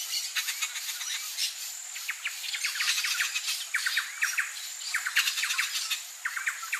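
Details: Turquoise-fronted amazon chick begging while fed by its parent in the wild: rapid, harsh, buzzy squeaks pumped out several per second, nonstop, with a thin steady insect whine behind.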